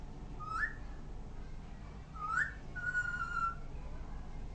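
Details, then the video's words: Parrot making different sounds: two short rising whistles, then a longer steady whistled note, over a low indoor hum. "Parrot making different sound"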